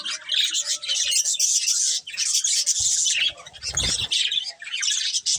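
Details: Colourful budgerigars chatter in high, rasping chirps in two long runs split by a short lull, with a low fluttering rumble near the end.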